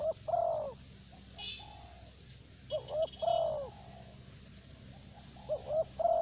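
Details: Caged decoy spotted dove of the 'thổ bầu' voice type, used in Vietnam for luring: three mellow three-note coo phrases, quick paired notes before a drawn-out falling coo, with fainter softer coos between and brief high chirps.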